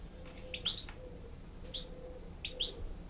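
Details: European goldfinch hybrid youngsters, reared hearing only goldfinches, taking song lessons from a tutor bird; quick paired high chirps recurring roughly every second against a low humming background.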